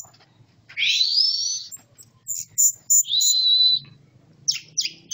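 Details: Orange-headed thrush, a caged bird in Malang kept on earthworms, sings in the classic 'teler' style: a long rising buzzy whistle, short sharp notes, then a steady level whistled phrase and clipped chirps.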